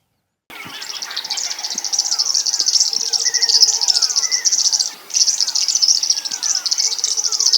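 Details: At dawn in late March of summer 2025, on Zaagkuilsdrift Road, South Africa, a River Warbler gives a dry, rhythmic, insect-like buzzing, high-pitched and unbroken, amid scattered whistled and slurred notes of the dawn chorus.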